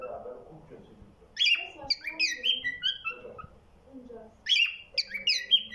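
A cockatiel sings a run of bright, sliding whistles in short repeated phrases.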